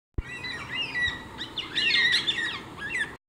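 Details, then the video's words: Several Baudin's black cockatoos at Narrikup on 9 March 2022 give a busy run of overlapping harsh, rising and falling squawks and chattering notes, calling at once for about three seconds. "Baudin's black cockatoo calls"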